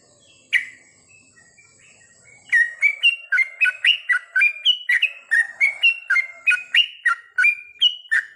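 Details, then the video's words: Sooty-headed bulbul song at night, played as a therapy track for training birds: after a lone note, a fast run of short, bright, bubbling whistled phrases, rising and falling, repeated about three or four times per second with no other sounds. "terapi trucukan di malam hari"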